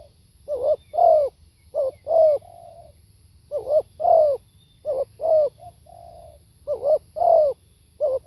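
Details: A spotted dove gives a run of deep, mellow coo phrases in a live recording, each a short note then a longer bent coo, with occasional flat trailing hums and regular pauses.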